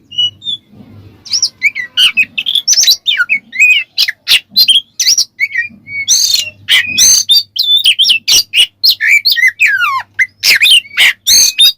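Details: Ngeplong-style song of an Oriental magpie-robin, used to provoke rival magpie-robins: dense, varied run of whistles, downward swoops and harsh scratchy notes, with a low background hum early on.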